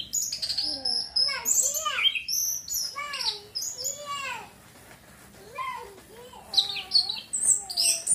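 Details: Orange-headed thrush song used as therapy to arouse breeding urge and get birds singing. Varied, rapid phrases of high buzzy notes mixed with lower slurred whistles that rise and fall. Brief pause near the middle, then more bright chattering phrases.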